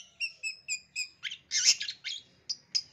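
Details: Lure song of a long-tailed shrike crammed with mimicked calls, aimed at young wild-caught birds; a series of clear paired high pips, then a loud harsh chattering burst and several thin whistles.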